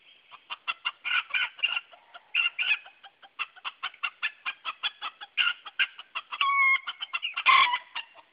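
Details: Three Silver Sebright roosters huddle on the porch of their chicken house, frightened by a toy yellow duck, phone recording: rapid harsh clucks about once a second, rising into louder drawn-out squawks near the end.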